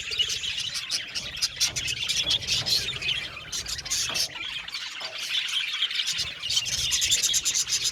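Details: Aviary budgerigars give squeaky squawks and rapid twitters, the flock chatter dipping briefly about halfway before swelling again.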